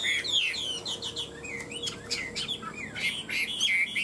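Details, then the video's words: One of two tame caged Chinese hwameis, three years in the cage, in fighting song: fast, high whistled phrases with sharp clicks and slurred notes tumbling together, a faint steady hum beneath. "Họa mi hót đấu cánh đuôi đẹp - 2 em thuần 3 năm lồng"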